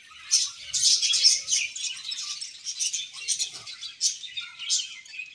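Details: Budgies in a colony chirp while they eat, a busy stream of bright, high twittering notes rising and falling in loudness.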